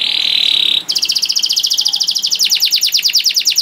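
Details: Canary song for tutoring young canaries: a steady high whistled tone, then rapid repeated downslurred notes in a fast rolling trill that speeds up in a second section.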